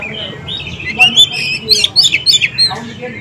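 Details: Oriental magpie-robin singing to coax young birds that have gone quiet into answering; a smooth warbled start, then a quick series of sharp, upslurred whistles and chips.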